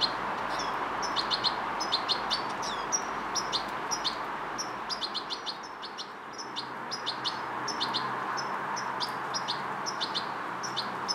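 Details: Fledgling European goldfinch working on motor control, repeating quick, high chirps in uneven bunches, about a hundred a minute, against a continuous droning noise.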